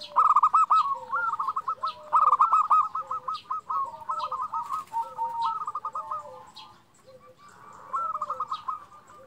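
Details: Singing local zebra doves (perkutut lokal) used to provoke quiet birds. Long strings of rapid, evenly clipped coos run for several seconds, over softer lower two-note coos from a second bird, then a pause and a fresh burst.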